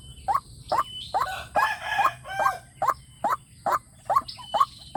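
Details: Lure call of a white-breasted waterhen, played on a speaker to provoke wild birds: short, hollow notes repeated about twice a second, briefly blurred by a harsher, rougher burst near the middle, with faint high whistles behind.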